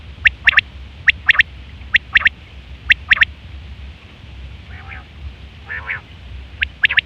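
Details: Lure call of a female quail for trapping: crisp paired and tripled clicks repeat about every second, then a pause with two faint, buzzy, downward-bending notes before the clicks resume, above a low hum.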